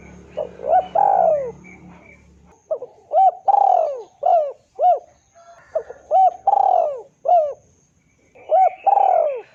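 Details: Spotted dove lure sound meant to draw a rival into calling: three-part coo phrases repeated roughly every two to three seconds, each a short note, a hooked note, then a drawn-out falling coo. A faint low hum is heard early on.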